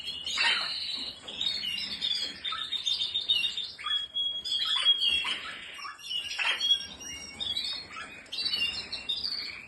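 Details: Canary of the Spanish Timbrado, Malinois or Portuguese Harlequin breeds pouring out rapid twittering phrases mixed with one sustained pure whistled note, scattered clicks heard between passages.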